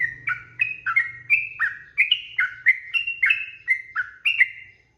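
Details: Sooty-headed bulbul singing as a training recording for songbirds: loud, mellow whistled couplets, rising then falling notes in quick succession, with a soft low rumble in the background.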